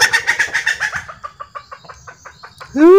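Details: A tame Sumatran red junglefowl, released from its cage to range free as in its natural habitat, gives quick, throaty clucks, about six a second, then slower and softer ones, ending with a loud, sharply rising note.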